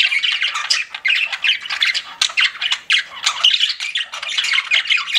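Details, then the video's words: Pet budgerigars in steady chorus: fast, overlapping chirps, squeaky warbles and harsh squawks with only momentary dips. "CUTE PET BUDGIES CHIRPING"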